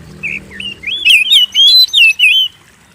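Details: Loud, varied song of an Oriental magpie-robin, used to spur kept birds to sing: soft opening notes, then a run of bright slurred whistles swooping up and down for about a second and a half, over a faint low hum.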